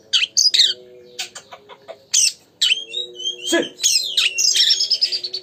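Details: Oriental magpie-robin singing vigorously as a lure to provoke a rival to sing: sharp separate chips and clicks, then a varied stream of whistles and chatter ending in a long ringing note, with background hum.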